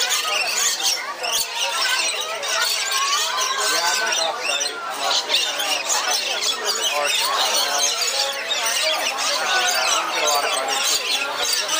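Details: A flock of lorikeets at a bird bath in the Lorikeet Forest of the Aquarium of the Pacific keeps up constant harsh screeching and squawking chatter, many calling over one another, with people's voices murmuring underneath.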